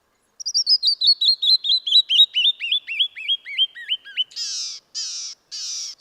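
Canyon Wren song: about twenty clear whistled notes cascading down the scale over four seconds, then three harsh buzzy notes at the end.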